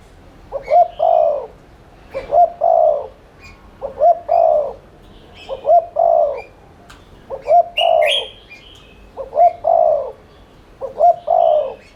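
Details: Spotted dove cooing in the rapid 'thúc' style meant to provoke other doves to coo. Seven evenly spaced phrases of two clipped notes and a long mellow croo, with scattered high twitters of other birds behind.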